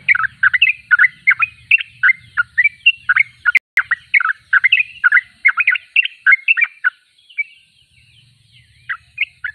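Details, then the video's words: Sooty-headed bulbul in full song: a fast, dense sequence of chirpy, warbled notes that thins to a few scattered notes near the end, with a low hum in the background. "Trucuk termewah suaranya paling di cari"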